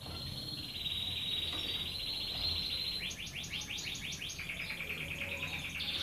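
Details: Red canary singing continuously: a long high rolling trill shifting into a quicker pulsed trill of repeated notes, then another sustained trill.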